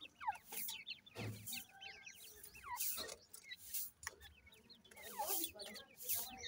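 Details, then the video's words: Young grey francolins peeping in a busy group, high curved chirps in loose clusters, fainter than the surrounding bursts of rustling noise. "irani teetar chicks voice, irani teetar speaking,grey francolin bird chicks"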